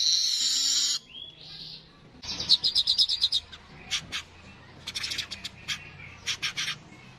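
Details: Streaked weaver giving a brief hissing buzz, then after a pause a run of sharp dry clicks and chatters in irregular bursts, fading into quiet background.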